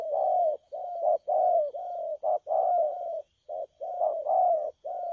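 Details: Spotted dove kept in a cage, 12 October 2019, delivering dense low cooing: long quavering coos broken by short clipped notes, almost continuous over five seconds, on a clean background.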